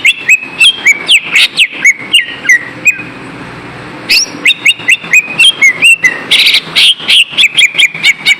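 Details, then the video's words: Green leafbird song used as a lure to rouse lazy kept birds into singing: loud, clear whistled notes, some rising sharply, others flat or slurred downward, delivered in quick bursts with a short pause midway. "SUARA PANCINGAN BURUNG CUCA IJO AGAR TIDAK MALAS"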